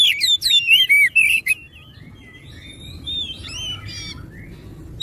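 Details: Magpie-robin song played to encourage other magpie-robins to call: loud rising and falling whistles with scratchy chips, then a quieter, wandering warble and a final sharp note.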